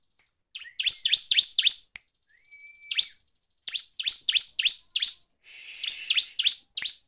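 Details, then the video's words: Bar-winged prinia song played as a provoking lure: repeated quick phrases of piercing descending chirps, a brief rising whistle in the gaps, and a harsher buzzy rattle near the end. "PANCINGAN CIBLEK GACOR NGEPLONG BIKIN EMOSI"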